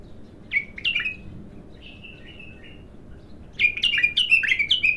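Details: Untrained bulbul at its first song outburst, giving a short slurred phrase and soft trailing notes, then a loud rapid string of repeated bright whistled notes.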